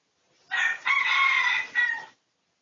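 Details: Red junglefowl of the pradu colour type in a research recording from 18 August 2023, giving one clear crow: a brassy, harmonic-rich call split into a short opening note, a long sustained middle and a brief falling ending.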